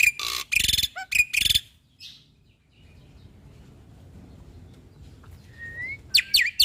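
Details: Black-winged starling (jalak putih), a training recording for caged birds: harsh, loud, buzzy bursts and a squeaky whistle, followed by near silence, one thin rising whistle, and a closing harsh note.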